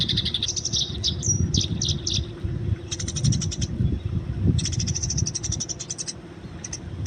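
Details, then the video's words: Eurasian tree sparrow, free-living, fighting context: uneven, sliding chirps at first, then two bursts of rapid, regular high chirps, with low rumbling noise throughout. "masteran burung gereja di alam bebas"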